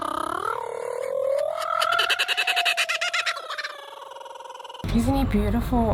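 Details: A male kookaburra being petted gives a laugh that starts with a rising hoot and breaks into fast, chattering repeated notes that fade away. A person's voice and handling noise follow at the end.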